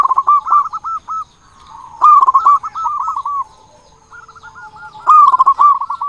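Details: Loud local zebra doves used to prompt silent doves into song: three bursts of quick, rolling, hooked coos, each lasting about a second, with quieter overlapping coos between them.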